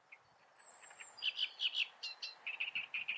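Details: Great reed warbler song, a rasping series of loud repeated harsh notes, grating chatter shifting into a rapid run of similar croaky syllables, delivered in a steady jerky rhythm.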